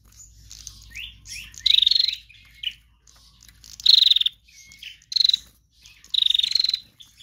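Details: Female bar-winged prinia, used as a lure, repeats harsh, fast-pulsed trills four times, each slightly falling, with short rising chirps and a brief whistle between bursts.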